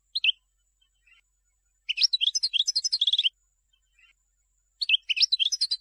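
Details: European goldfinch song to tutor young birds: a brief two-note chirp, then a rapid bubbling twitter with a short buzzy trill, and after a pause another lively twittering phrase.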